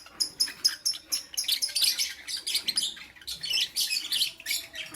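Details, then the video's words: Morning chirping of lovebirds, a steady stream of piercing, high-pitched chirps and rapid squeaky notes, several per second, overlapping into a busy chatter throughout. "Lovebirds Chirping Sounds"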